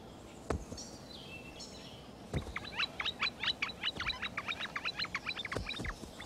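Red-shafted Flicker giving a quick run of sharp, nasal notes, about two to three per second, with a few knocks and faint high chirps earlier.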